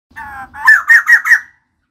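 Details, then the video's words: Female white-crested laughingthrush in full, active song: a soft, layered, nasal phrase, then four loud, harsh, clipped notes in quick succession. "Poksay jambul putih betina gacor"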